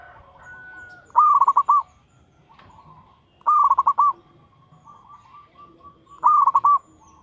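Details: Zebra dove of local stock in full song as a lure: three stammering pulsed coos, each about half a second, spaced roughly every two and a half seconds, with faint chirps and clicks between.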